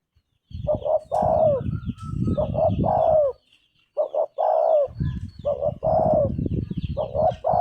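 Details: Spotted dove cooing phrases: two short low coos, then a longer note that slides downward, repeated with short gaps. Faint high chirps from small birds and low rumbling noise lie beneath.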